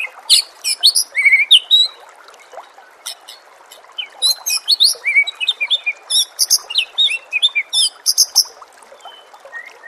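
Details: White-rumped shama song from a training recording for caged birds, set with nature sounds and trickling water: rapid, varied bursts of sharp whistles, chirps and quick trills, dense and high-pitched, with a short pause near three seconds.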